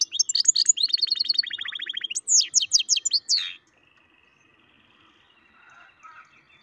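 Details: Goldfinch-canary mule bursts into quick rolling trills and sharp chirps for about three and a half seconds, then falls quiet with only faint distant twittering.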